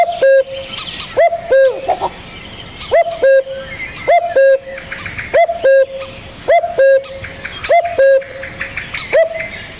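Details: Repeated spotted dove coos, a rising clipped note then a level drawn-out one, roughly one pair per second, with small birds twittering in the background.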